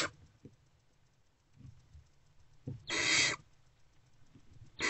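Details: Barn owlets huddled together in a nest box in the early-morning darkness give a single broad rasping hiss mid-clip, with partial hisses at the start and end and quiet bumps in between.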